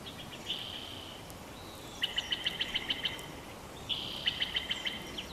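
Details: Bald eagle chortle from a Big Bear Valley nest on 12 June 2021: a drawn-out high whistle, then a quick run of seven or eight sharp piping notes, repeated after a pause, over steady outdoor hiss.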